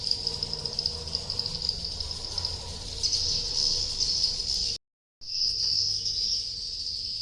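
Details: Swiftlet call used to attract swiftlets to nest: a dense, continuous high-pitched chattering twitter that runs steadily, cut off by a short silent break before resuming.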